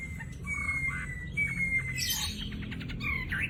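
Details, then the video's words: Wambi, a loud, vigorous singer that mimics other birds, recorded as a tutor for fighting songbirds: thin, level whistled notes drawn out, then a burst of rapid, buzzy chips and a brief rising whistle over low background rumble. "Burung wambi gacor full isian materi top buat masteran burung petarung"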